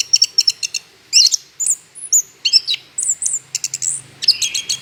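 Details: Orange-headed thrush song meant as a lure for other birds: rapid clicking chirps and sweet high whistled phrases, varied and continuous, with a faint low hum in the background.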